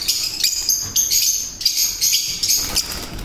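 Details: Breeding pair of olive mask African lovebirds with yellow collar markings, giving rapid high shrill chirps and chattering squeaks in quick bursts, overlapping and repeated throughout.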